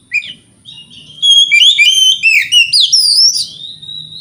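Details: White-rumped shama song used to provoke rival shamas, a quick tumbling series of varied whistles and slurs that climbs to a high sweeping note, then trails off into a level whistle.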